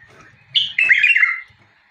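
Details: Short bulbul phrase: a sharp rising note, then a loud rolling, liquid warble lasting under a second.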